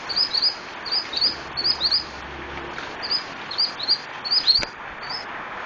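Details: Scarlet-headed flowerpecker singing actively (gacor): a steady series of short, high, paired chirps repeated through the clip, with one sharp click near the end.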